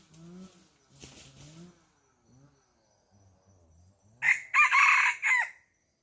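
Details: Chicken on a farm: a few soft, low clucks in the opening seconds, a quiet pause, then a loud, harsh crow of several joined syllables lasting about a second and a half near the end.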